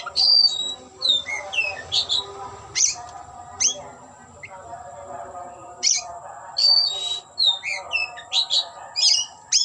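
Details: Oriental magpie-robin (kacer) singing while displaying and opening its tail: varied whistled phrases mixing clear sliding notes, sharp chips and harsh buzzy bursts, with pauses between phrases, over a faint steady background hum.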